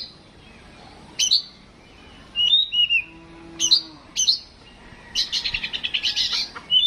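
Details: Oriental magpie-robin kept in a household, tested for mental strength. Crisp high chips and short wavering whistles break a quiet start, leading into a fast, evenly pulsed rattle of notes.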